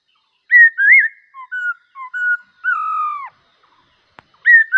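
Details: Black-cheeked bulbul singing well: clear whistled phrase of short fluting notes, rising and falling, ending in a longer slurred whistle, then a pause and the phrase beginning again.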